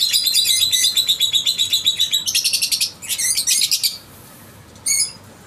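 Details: Lovebirds of creamino, opaline, dun fallow and parblue mutations in a breeding setup at a bird farm in Karachi, Pakistan; shrill, rapid chirps repeated about four per second for four seconds, a short pause, then one final brief chirping burst.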